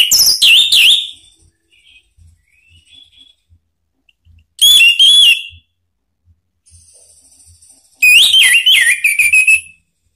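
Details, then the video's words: Orange-headed thrush song used as a lure: three separated phrases of warbling, wavering whistled notes, each about a second long, with quiet gaps holding faint distant whistles. "ANIS MERAH manapun jadi NYAUT NGEPLONG dengan SUARA ini ¦ PANCINGAN AM"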